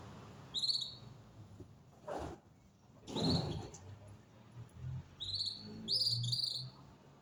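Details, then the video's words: Songbird singing outdoors in winter: brief high whistled phrases, some with quick stuttered notes, heard at widely spaced intervals, with soft thumps and handling noise between them and a light low hum. "Singer bird"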